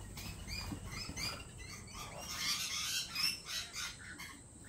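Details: At a lorikeet cafe, lorikeets make a rapid series of short, bright, high chirps, several each second, building into a thicker shrill chatter midway, with steady background hum.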